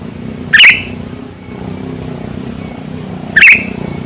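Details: Two brief, bright, bubbling chirps roughly three seconds apart from a sooty-headed bulbul lure bird of about 8 to 9 years, kept to attract wild birds, with a steady low hum behind.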